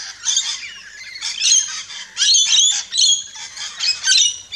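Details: A flock of rainbow lorikeets screeches at a backyard feeder in Australia, with repeated loud bursts of raspy, high squawks roughly every half second.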